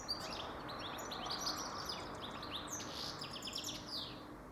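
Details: Goldfinch song: a rapid, jumbled run of bright twittering notes and short liquid trills, delivered without pause over low, steady background noise.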